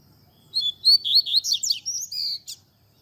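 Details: Double-collared seedeater song in the tui tui zel zel style, sung as a lesson for young birds: sweet rising whistles, then rapid descending buzzy trills, a long level whistle and a short final chip.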